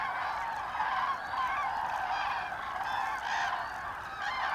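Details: A flock of common cranes on autumn migration, 25 October 2021, gives loud, rolling, bugling calls that overlap continuously from many birds at once.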